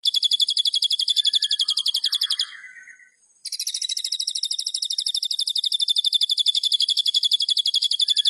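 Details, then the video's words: White-rumped shama singing: rapid, highly regular high-pitched notes, about four per second, in a steady chattering run. A short pause and a lower scratchy note come before the run resumes. "MURAI BATU GACOR"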